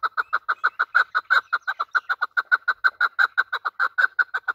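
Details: Desi Afghani chukar (chakor) call, of the kind used by hunters: a steady, rapid run of short clucking chuck notes, about five each second, evenly spaced and unbroken throughout, with no other sounds.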